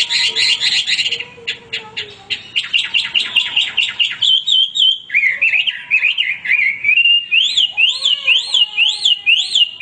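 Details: Male hwamei song that opens with fast sharp chip notes, moves into rolling trills, and ends with clear rising-falling whistles repeated about twice per second, all loud and high-pitched.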